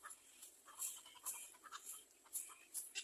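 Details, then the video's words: A little egret chick begging from its mother makes rapid grating, hissy squawks, roughly two to three each second, each a short noisy burst with a rough buzzy quality. "Little egr bird wants to bite its mother for food"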